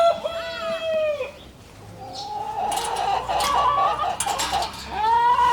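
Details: Four roosters crowing nonstop at 5 AM in a backyard chicken coop on a Johannesburg urban homestead; each loud, drawn-out crow holds steady then drops, with clucking and rustling between crows.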